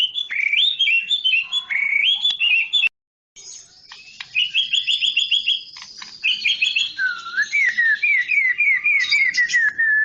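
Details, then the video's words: Medan-type white-rumped shama singing a loud, varied song of rich whistled phrases, with quick rising and falling notes repeated in runs, a brief pause, then a string of descending slurred whistles. "kicau murai medan"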